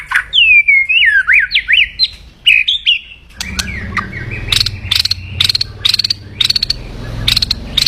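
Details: White-rumped shama in loud, aggressive kretekan crackling meant to rile opponents: zigzag whistled phrases first, then evenly spaced sharp crackling bursts over a low background hum.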